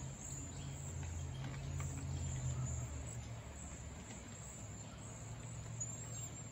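A flock of cedar waxwings gives a steady wash of very high, thin, hissing trills over a low rumble of wind or distant traffic.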